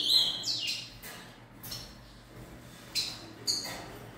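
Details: Juvenile rufous-collared sparrow, three months old, gives a quick descending slur of thin high notes, then two sharp, isolated chips half a second apart.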